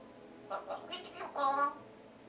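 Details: An 8.5-month-old pet African grey parrot sings a "sad song" indoors: a short run of five or six tuneful, speech-like syllables over about a second, ending in a longer, mournful warbled note.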